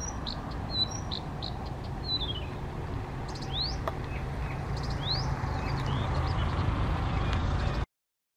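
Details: Spontaneously singing male Blyth's reed warbler, Czech Republic's first record, 19 June 2014, near Těchařovice at Bukovský pond; scattered short chips then rising slurred whistles, fairly faint above constant low-pitched rumble.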